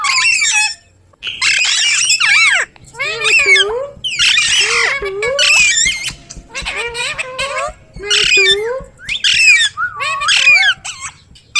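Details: Ringneck parrot, a pet talking bird, producing a rapid run of harsh squawks and speech-like chattering syllables with sweeping, bending tones, loud bursts separated by brief pauses throughout.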